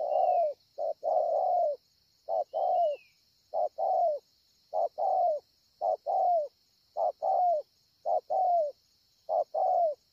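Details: Spotted dove, a 'bổi ngực sẹo' with fine cooing, Ngọc Hồi, 25 March 2020: a long run of low, slightly falling coo pairs, a brief clipped note then a drawn-out one, steady insect buzz and two faint high whistles.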